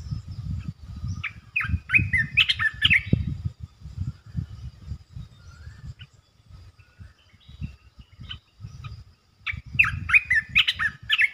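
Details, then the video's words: Two bursts of chattering, warbled notes from a resident red-eyed bulbul defending its patch, one early and one near the end, separated by quieter stretches over low rumbling noise. "เสียงนกกรงตาแดงEp.219 จ้าวหยกสายเรียก!! เจ้าถิ่นมารำ Suara merbah belukar gacor"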